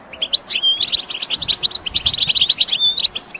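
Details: Several European goldfinches calling together in batbata, a group chorus meant to stir males to sing and breed; bright, rapid twitters and clipped chirps with a few drawn-out whistled notes, densely layered and high-pitched.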